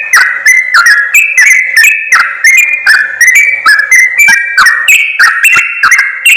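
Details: Yellow-vented bulbul calls for luring wild birds: a rapid, nonstop chatter of clear whistled notes, several per second, swinging between higher and lower pitches with snappy clicks.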